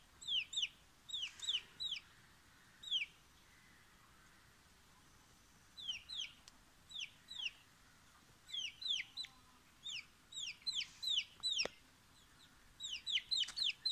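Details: Frightened chicken chick: high, thin, downward-sliding peeps come in quick clusters of two to five, separated by short pauses, against a faint hiss.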